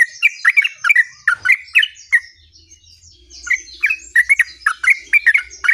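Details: Yellow-vented bulbul giving a rolling song: bursts of quick gurgling, slurred notes, a short lull with faint high chirps from other birds, then another rapid run of phrases.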